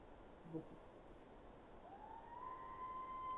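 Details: A Barred Owl recorded at Skagit in summer gives a drawn-out, rising wail that swells and holds at the top. This is one of its varied calls besides the typical "who cooks for you" hoot, heard over steady hiss and hum.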